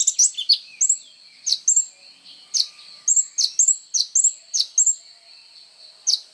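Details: Energetic kolibri ninja sunbird song for training other songbirds: thin, very high chirps and brief whistles given in quick clusters with short pauses, each note sliding sharply downward.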